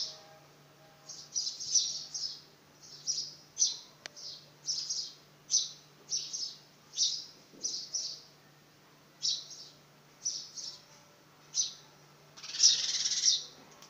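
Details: Fledgling house sparrow on its first flight attempt, chirping persistently: about twenty high, short notes in loose runs, ending with a longer, louder harsh burst; a faint steady hum runs underneath.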